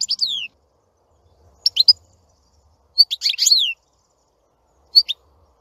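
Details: European goldfinch giving four separate short phrases of high twittering notes and downward-sliding whistles, spaced about a second or more apart, in a quiet setting.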